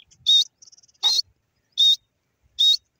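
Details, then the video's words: Grey francolin (teetar) giving loud, short, high-pitched notes, three strong ones spaced under a second apart, with a faint twittering series between the first two. "titur ki awaz,grey francolin bird wonderfull sound"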